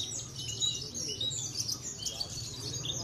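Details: Contest Javan bush lark, parva subspecies, from Cilacap, sings quick high chirps and short trilled notes in an irregular stream, with faint crowd noise.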